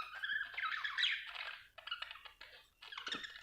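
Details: Budgie chirping: a busy warble of quick squeaks and clicks in uneven bursts, fading between phrases, with a faint low hum underneath.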